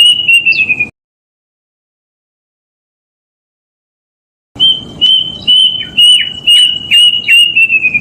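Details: Plaintive cuckoo recorded in the wild and used as a lure to catch forest birds: a long whistle, a pause, then a fast run of piercing whistled notes on one pitch, about two per second, sliding lower at the end.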